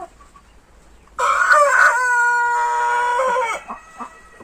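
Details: A laughing-chicken rooster (Gallus gallus domesticus, Ayam Ketawa) gives one crow, opening with a rough, stuttering burst, then holding a long steady note before breaking off in choppy fragments.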